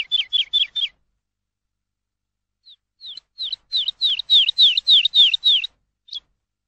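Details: A lark in open country gives quick series of clear, slurred trilling notes, a short burst of five and then a longer run of about a dozen, three or four each second.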